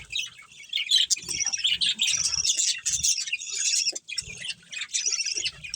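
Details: Chattering budgies from a colony with a breeding pair, high scratchy chirps and whistled notes in clustered bursts, a clear drop around four seconds, faint low rustles throughout.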